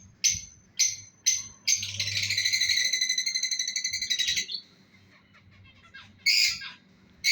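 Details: Breeding pair of lovebirds: several sharp high chirps, then a long rapid buzzy chatter of fast repeated notes lasting over two seconds, a pause, and another harsh squawk at the end.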